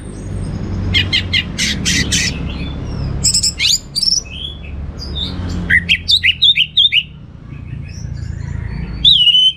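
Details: Orange-headed thrush singing loudly in teler style with abundant varied material. Scratchy, buzzy trills mix with sharp rising whistles and quick chirps in uneven bursts, with a low rumble underneath.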